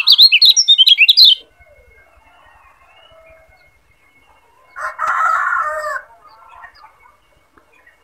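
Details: Lombok yellow white-eye used as a tutor song for training other birds: a quick burst of high, sharp chirps lasting just over a second, then a lower, rougher warbling phrase about four seconds later.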